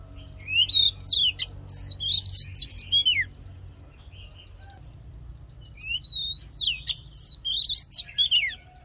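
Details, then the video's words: Oriental magpie-robin in fighting song for voice training: two loud bursts of rich, sharply modulated whistles and swooping notes, separated by a quiet gap, faint low hum behind. "Hót Đấu Kích Trống Căng Lửa || Luyện Giọng Chòe Than"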